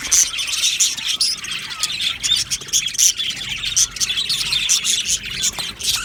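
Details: Budgie colony in an aviary producing a constant high twittering chorus, rapid scratchy chirps and short whistled squeaks overlapping throughout.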